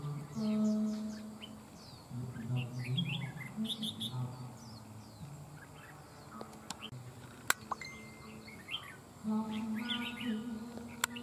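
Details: Má trắng songbird taken from the wild, singing against a decoy bird with a voice likened to an old bird's; dense busy bursts of sharp high chirps, pausing midway, with low droning background noise and clicks.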